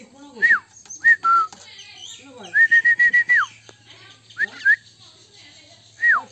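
Common myna giving clear, mid-pitched whistles, some slurring downward, plus a quick run of six repeated notes; faint human voices in the background.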